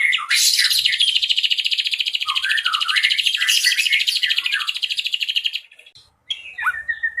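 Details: Ashy drongo delivering long 'nembak cililin' bursts for tutoring songbirds. A dense rapid high trill is laced with lower wavering whistled notes for over five seconds. It stops abruptly, then brief chirps and a downward slur follow.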